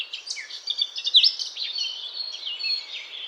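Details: A Eurasian blackcap sings a continuous, hurried warble, mixing scratchy chatter with clear whistled upslurs and bright, quickly shifting high notes.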